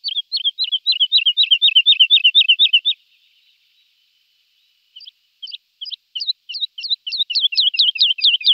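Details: Lark song: a steady run of looping whistled notes for about three seconds, a pause, then single high chips that speed up into a fast repeated trill.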